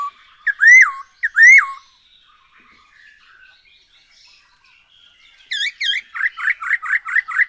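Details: Singing black-throated laughingthrush used to prompt birds to sing: two loud arched notes, a soft murmuring interval, then two sharp chevrons and a rapid run of short repeated slurred notes.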